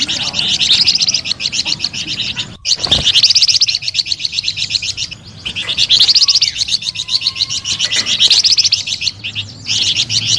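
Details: Melodious, energetic flamboyan bird song, delivered as fast bursts of high, scratchy repeated notes lasting a few seconds each, separated by short gaps and punctuated by a sharp click.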